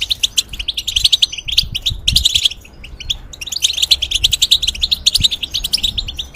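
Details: European goldfinch singing in a cage, kept for breeding and for tutoring hybrids: rapid twittering phrases of bright chirps and trills, with a short pause near the middle before the tumbling song resumes.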